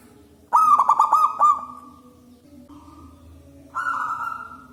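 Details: Zebra dove from the wild with a strong, loud voice, used for luring, gives a rapid stuttering series of coos, a faint soft note, then a long sustained coo.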